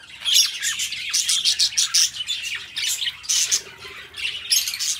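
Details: Budgerigars chatter in bursts of rapid, scratchy chirps and thin whistled notes, several birds calling over one another with brief dips between flurries.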